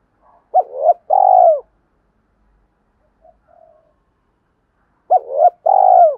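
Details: Spotted dove calling in 'kích bổi' style to provoke rival males: two phrases of paired coos, a short rising hoot followed by a longer rolling trilled coo, separated by about four seconds of near silence with a faint murmur.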